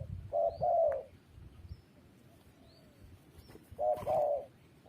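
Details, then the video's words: Two separated coo phrases from a spotted dove, each a quick note then a longer mellow coo, with a gap of quiet, faint distant chirps and a brief knock between. "GELAGAT BURUNG TERKUKUR | SUARA YANG PADU"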